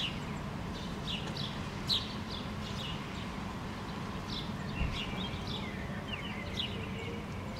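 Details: Great tit (Parus major) perched on a wire after rain in Helsinki, Finland, July 2013, gives short, sharp, high, clipped chirping notes at irregular intervals while preening, over a steady low rumble of distant traffic.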